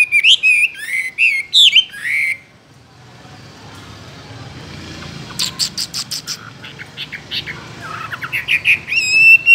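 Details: Chinese hwamei in a cage singing loud, warbling whistled phrases, then a quiet gap filled with softer, sharp clipped notes before strong whistles return at the end.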